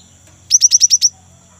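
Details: Rolling song of a young great tit, used as a lure for kept birds: six sharp, high, downward-sweeping chirps delivered in a quick, even run lasting about half a second, with faint low hum behind.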